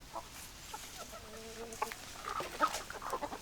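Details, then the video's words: Hens clucking in a flock, soft short clucks scattered through the moment with a few drawn-out tonal notes in the middle, over a steady background hiss. "Chicken Sounds Noises Hens Clucking Roosters Crowing"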